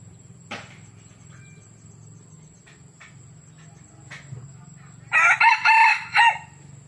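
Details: Clipped khan tat crow from a young red junglefowl rooster at Tha Som, Nam Som, Udon Thani: after quiet with faint clicks and a low hum, a loud harsh four-part crow of choppy, ringing syllables ends abruptly.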